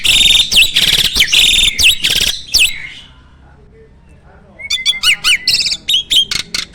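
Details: Farm-kept starling in energetic song with mimicked fill-ins: a dense run of harsh, buzzy chattering bursts, a quiet gap, then a clear whistle giving way to quick bouncing chirps.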